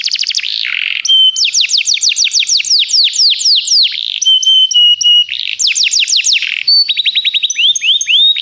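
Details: Canaries singing a lot for song training: varied rapid tours of curved sweeps, buzzy low rolls and clear level whistles, changing pattern every one to two seconds without pause.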